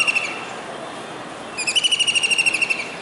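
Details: A kingfisher perched on a dish antenna atop a building in Surat, Gujarat, India, on a rainy July day in 2019, calling as if searching for another: a brief note, a pause, then a fast, even rattling trill of high pulsed notes lasting over a second.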